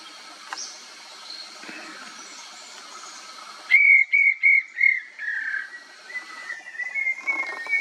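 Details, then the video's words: Call of a banded bay cuckoo: four loud, evenly spaced whistled notes at one pitch, then softer drawn-out whistles trailing off over a quiet, faintly hissing background. "Banded Bay Cuckoo | Bay Banded Cuckoo"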